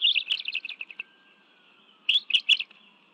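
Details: Bald eagle family feeding on fish at a nest in Washington, D.C.'s National Arboretum, June 2017 afternoon: a quick falling run of sharp, high chirps, a second's quiet, then three louder chirps, with a soft distant siren tone.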